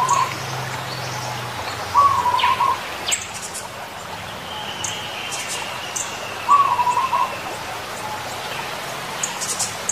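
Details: A wild zebra dove gives two brief, stuttering cooing phrases about four seconds apart, each a quick run of soft rolling notes. Faint clicks and a thin high insect buzz sound in the background.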